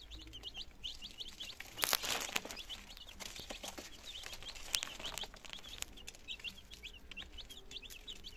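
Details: Two-day-old chicken chicks, nineteen in a brood in Germany, 17 September 2022, first trying food and water; steady high, piping peeps repeat throughout, interrupted by a loud rattling clatter near the second second and scattered clicks.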